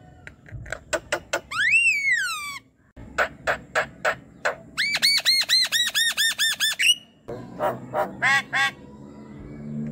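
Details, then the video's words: Javan myna sound aimed at getting a quiet bird to sing at night: harsh notes and a descending whistle, spaced squawks, a long fast series of arched ringing chirps, then rough scratchy calls. "MALAM hari pun COBA PANCING dengan ini jalak kebo yang BENGONG MALAS BUNYI"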